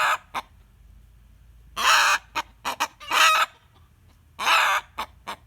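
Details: A rooster screams, as it usually does on hearing a hen cackling. Loud, harsh, raspy squawks about half a second long come at uneven intervals with short sharp yelps in between, and a brief clear tone sounds near three seconds.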